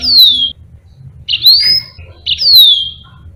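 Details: Yellow-fronted canary singing for use as a tutor for other birds: three clear, high whistles that slide steadily downward, each about half a second long and repeated roughly every second, with quiet gaps.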